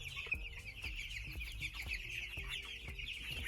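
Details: Two-week-old broiler chicks (day 15) keep up a dense, unbroken chorus of shrill, high overlapping peeps, a hunger call telling the farmer they are hungry, while feed is refilled amid low thuds and knocks.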